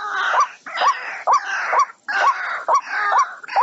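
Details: Waterhen lure call for trapping birds, rising hooked croaks repeated in a steady rhythm, partly masked by loud harsh broadband noise between notes.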